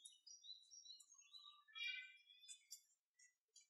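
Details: Japanese tit among cherry blossoms: a dense run of high, thin chirps and twittering notes for about three seconds, some sliding down in pitch, then a few spaced single chips.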